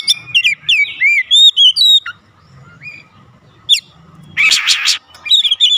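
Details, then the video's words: Oriental magpie-robin song for provoking other birds at home to respond: clear looping whistles and chips, a pause with faint low hum, then a loud harsh rasping burst and renewed whistling. "AUTO RESPON NGEPLONG GACOR KACER ANDA DIRUMAH"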